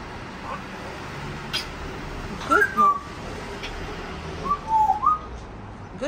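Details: A female pet African grey parrot in the morning gives short whistled, sliding notes in two bursts about two seconds apart, over a steady background hiss.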